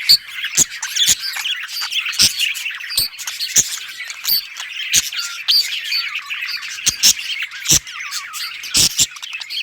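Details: A group of brightly coloured budgerigars playing and chirping, August 2023: steady scratchy warbling and high chirps from several birds, with repeated sharp taps and clicks throughout.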